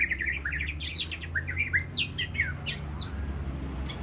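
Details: At the SMBF Ladong singing contest, the champion white-rumped shama pours out rapid chattering notes and quick trills, then two loud arched whistles rising and falling, over a low rumbling background.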